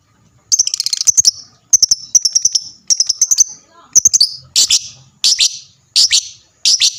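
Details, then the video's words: Lovebird chatter used as a lure to make other lovebirds answer with lively, persistent calling: shrill, very high chirps in rapid stuttering runs, then single harsh squeaky bursts spaced roughly every 0.7 seconds, with faint low background noise. "lovebird mu di jamin langsung nyaut rame bunyi gacor"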